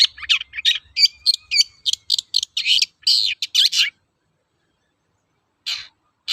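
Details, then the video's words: Long-tailed shrike singing a lure song in the toet-toet style, used to provoke other shrikes into singing: rapid run of varied chirps and short whistled notes for about four seconds, a pause, then two more brief notes. "BURUNG CENDET GACOR TOET-TOET, PANCINGAN AMPUH SAAT INI"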